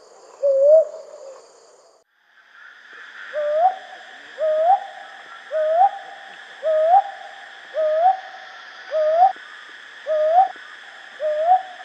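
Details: Night calling of a brown hawk owl: one hoot, a short pause, then eight more upswept hooting notes roughly every 1.2 seconds, over a continuous higher droning background, likely insects.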